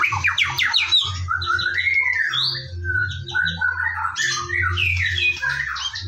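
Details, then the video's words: White-rumped shama (murai batu) singing in the morning as a lure recording: quick descending whistle series, a long swooping whistled note, then mixed chatter and buzzy phrases over a steady background hum. "PANCINGAN BURUNG MURAI BATU DIPAGI HARI AGAR GACOR"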